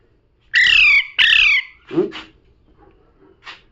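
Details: Pet parrot calling with two strong, rasping squawks, followed by softer low grunting sounds and a faint short note.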